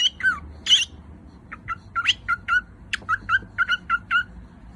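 A cockatiel sings a series of short whistled notes, some sliding down, others bright and clipped.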